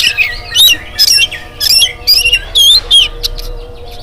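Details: Oriental magpie-robin singing in the morning to prompt other birds to sing: loud varied whistles and squeaky chirps in quick bursts, over a steady low hum and background noise.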